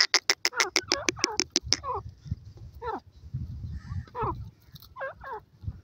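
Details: Gora teetar and irani teetar francolin calling: a rapid run of sharp, harsh clicking notes at the start, then scattered descending, nasal notes over a low rumbling background.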